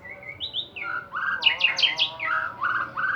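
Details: Lively white-rumped shama song used as a lure to provoke other birds to sing: a quick run of clear whistled notes jumping between pitches, with a bright cluster of rising notes in the middle, over a faint low hum.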